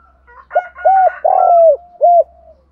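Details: Spotted dove used as a decoy to lure wild birds, male and female calling: four low mellow coos, the third long and sliding down. A fainter higher harmonic call runs faintly behind.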